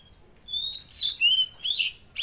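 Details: Velvet-fronted Nuthatch singing actively: a few sharp, high whistled notes, some slurred downward, in quick broken succession over a quiet background.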